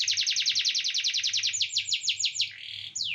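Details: A canary sings a long, fast stream of high downslurred notes that slows into wider sweeps, then a brief buzzy phrase and a final falling whistle.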